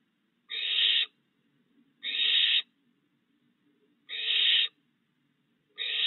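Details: Barn owl at night in a yard on 22 June 2022, where a breeding pair's three owlets have fledged and begun hunting; harsh, breathy screeches, each about half a second long, repeat roughly every two seconds against a quiet background.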